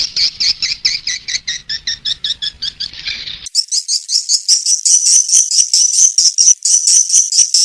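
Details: Call played to lure swiftlets: a rapid run of buzzy chirps that switches abruptly to higher, thinner, faster twittering.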